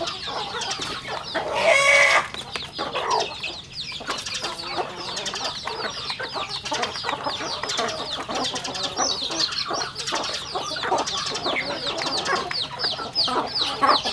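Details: Chickens at a rural home farm while eating, many birds peeping continuously in high falling notes, with dense tapping of beaks pecking food and a brief louder burst early on.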